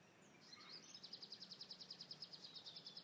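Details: A small group of green woodhoopoes (Phoeniceus purpureus) in residential gardens in Lilongwe, Malawi, call a fast, even series of high, harsh notes, about three or four a second, over a low rumble; they are heard approaching the garden from afar.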